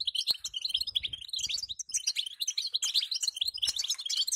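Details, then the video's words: Female European goldfinch giving calls meant to make the male sing, a rapid run of bright chirps and liquid twitters that barely pauses, with faint low knocks below. "أخيراً بتبتة لن يصمت الحسون معها دقيقة"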